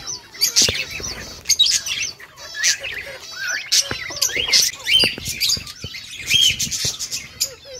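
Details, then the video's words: Several peach-faced lovebirds chatter in shrill, high squeaks and rapid twittering bursts, calling over each other almost without pause. "Lovebird sounds | Peach face Lovebirds | Peach face lovebirds talking"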